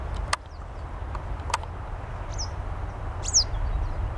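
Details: Western yellow wagtail in summer on a vacant lot among city buildings in Saint Petersburg, Russia; two thin, high, slurred calls, one near the middle and one louder near the end, over steady low traffic rumble with a few sharp clicks.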